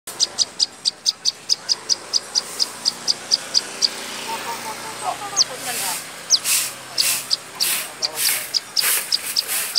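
A prinia gives a rapid series of thin, high ticking notes, about four a second, then louder sharp, scratchy bursts; faint lower chirps sound in the background.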